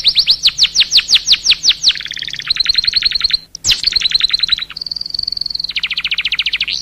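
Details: Vigorous canary song used as a lure to set other canaries singing: bright, rapidly repeated high trilled notes in changing phrases, downward-swept strokes, a sustained whistled note, then a fast buzzy roll.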